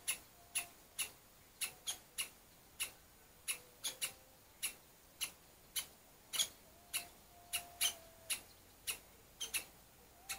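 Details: An angry woodpecker pair guarding a nest of young chicks call repeatedly at an intruder: clipped, sharp single notes about twice a second, occasionally paired, with a faint distant whistle from another bird.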